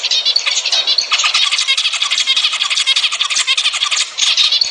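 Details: Zebra finches, played to get pairs breeding: an unbroken mass of nasal, buzzy calls and squeaky song notes from several birds. The notes pulse irregularly and stay loud throughout.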